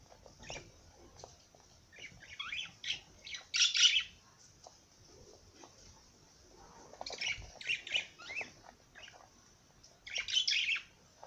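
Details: Parrot singing in three chattering bouts of loud, scratchy squeaks and twittering chirps, separated by softer clicks and quiet pauses.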